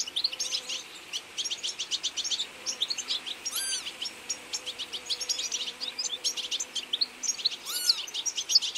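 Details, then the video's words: European goldfinch flock feeding in autumn, busy high twittering chorus of rapid tinkling notes, with two brief sharp descending notes standing out above the chatter. "Goldfinch beautifull birds in autumn"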